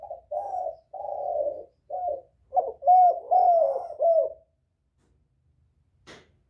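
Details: Spotted dove calling to lure other doves: a run of hoarse, throaty coos around the same low pitch, short phrases then longer slurred notes, ending in silence with a single faint click.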